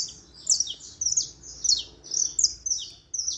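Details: Short burst of saffron finch song: bright, high notes sliding downward, grouped in clusters about every half second.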